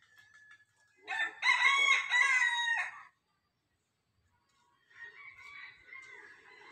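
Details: Domesticated free-ranging rooster crowing around 7 in the morning in a village near Khunti, Jharkhand, India, as winter approaches: one loud, harsh, ragged crow of about two seconds, then silence and a fainter, more distant crow.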